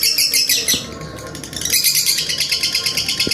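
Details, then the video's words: Lovebird song used as a long master recording: rapid high, rattling chatter of repeated notes at a fast pulse, loud at first, softer for a moment, then rising again with a steady stutter. "masteran Lovebird durasi panjang menitan"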